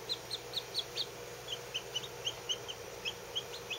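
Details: Newly hatched Lavender Orpington chicks, fourteen of them, less than a day old and kept under heat, giving quick high peeps in a rapid run of about twenty notes, bright and downward-sliding, over a faint background hum.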